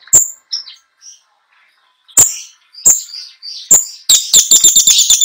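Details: A competition long-tailed shrike sings nonstop, packed with mimicked song material: sharp, high chattering notes and harsh squeaks broken by pauses, then a rapid burst of clicking, scratchy phrases.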